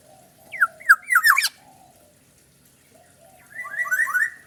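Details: A Black-naped oriole described as a fierce bird: a few rich downslurred whistles and a harsh rasping burst open the recording, then a pause, then a quieter, quick run of slurred fluty notes.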